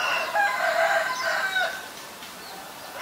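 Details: Rough, creaky calls of a White-vented myna in Ubon Ratchathani, Thailand, recorded 9 March 2022: a dense harsh phrase of layered grating notes for about two seconds, then tapering off.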